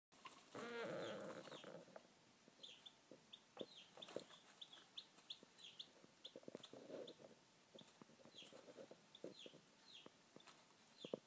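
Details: Chicks hatching, giving short high peeps scattered through the recording alongside louder broadband rustling and tapping noises, with a faint steady hum underneath.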